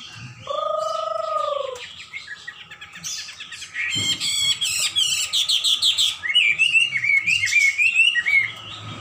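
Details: Hwamei in full song after a steady low two-toned hum: bursts of rapid buzzy notes, then bright, quick whistled slurs rising and falling, delivered in a lively, uneven stream.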